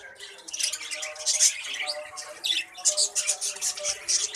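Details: Breeding colony of budgerigars with many chicks: overlapping rapid warbles, squawks and chirps form a steady high-pitched chorus that pulses in short loud bursts.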